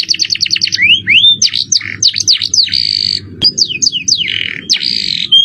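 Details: Canary with jerih shrill voice performing cengkok mewah song, masteran recording: quick trill series, rising curved whistles, then a long buzzy passage and further swooping notes, a soft hum persisting beneath.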